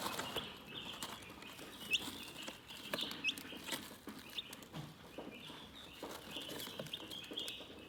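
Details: Relaxing chicken chirping: many high, thin peeps rise and fall through the stretch, with short upward-flicking chirps every second or so and light pecking clicks underneath.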